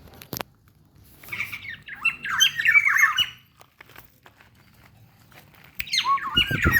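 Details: Local black-naped oriole from Ijen, Bondowoso, heard in the morning: a burst of harsh, squawky, jumbled notes for about two seconds, a quiet gap, then another rough scratchy phrase near the end.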